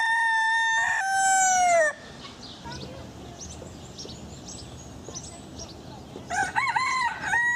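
A rooster gives a loud, ringing crow that ends on a falling note, then starts another crow about four seconds later. Faint chirps of small birds fill the gap.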